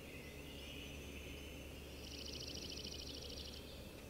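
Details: A Yellow-rumped Warbler in spring in South-central Alaska gives a faint, high, loose trill of quick even notes lasting about a second and a half, over a steady low rumbling background.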